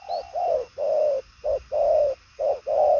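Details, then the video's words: Spotted dove, 'đồng son chân tím' variety, cooing well with speed and carrying power; short coo followed by a long drawn, level coo, the pair repeated three times in three seconds. "Đồng son chân tím gù quá tốt, nước xa tốc độ bài lối"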